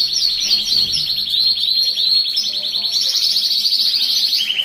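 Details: Breeding-stimulation canary singing, a high rapid rolling trill with small pitch steps, slightly rising before a lower trill closes the phrase.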